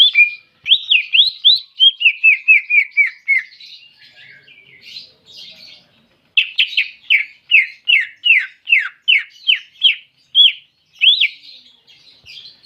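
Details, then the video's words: Greater green leafbird delivering clear 'tembakan' song: loud, rapid downward-slurred whistled notes repeated in quick series, about two or three per second, with a brief softer twittering pause midway before the bursts resume. "Cucak Ijo Tembakan Jernih"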